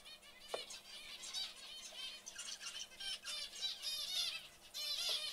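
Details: Young zebra finches chattering in a steady mass of scratchy, tonal squeaks and buzzes, overlapping constantly and swelling louder in the final second, with a faint low hum beneath.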